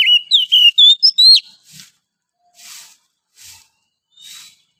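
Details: Morning song of a wild forest oriental magpie-robin: a quick run of sweet whistled, rising notes with scratchy buzzes, then several soft, hissing scratchy notes spaced apart.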